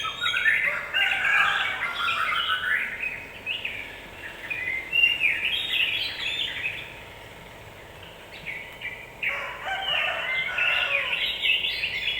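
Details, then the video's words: Yellow-vented bulbul singing to provoke other birds: long, dense, chattering warbles in two extended bouts separated by a quiet gap, over a steady background hiss. "Suara pancingan burung trucukan agar cepat emosi"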